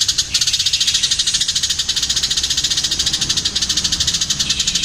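House sparrow giving a fast, unbroken run of harsh, high chirps, about fourteen a second, rattling on steadily throughout with nothing else heard.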